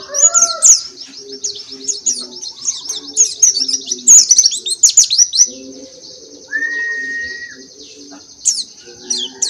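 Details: Open-beak singing by an oriental white-eye, with Dakbal, Pacitan and Muria varieties pitted against each other: high buzzy twittering trills with sharp accents, over soft low repeated tones, and a brief steady whistle later.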